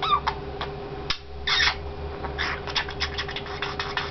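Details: A male pet budgerigar chatters in quick, buzzy bursts as he imitates human speech, such as "kiss, kiss" and "pretty boy", over a steady background hum.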